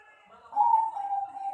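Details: Perkutut, a Bangkok-line zebra dove carrying ring PB 68 and praised for its solid 'jian' voice, gives a clear sustained coo that starts brighter and then settles onto a level, slightly pulsing tone, cut off before it ends.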